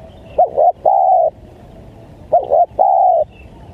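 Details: Lure call of a spotted dove for attracting wild doves: two phrases, each a pair of short, bent coos and then a longer, level coo, spaced about two seconds apart.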